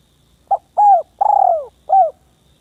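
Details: Village spotted dove calling to a rival: a soft short note, then a coo, a long, slightly rolling, descending middle coo and a final short coo, all low and husky, against quiet surroundings.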